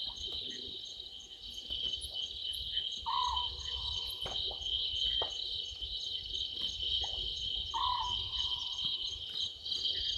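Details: Small owlet calling from a tree at Gowrie dam waterhole, Djuma Game Reserve, Sabi Sand, South Africa, at 00:38 on 11/12/2023; two short, mid-pitched notes that slide downward, about five seconds apart, over a steady high chorus of crickets.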